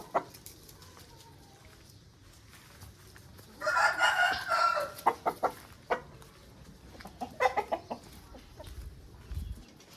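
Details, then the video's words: Quiet ambience gives way to a loud, rough crow from an Aseel rooster lasting over a second. Scattered short clucks and clicks come afterward. "Aseel Bird Sound Effect"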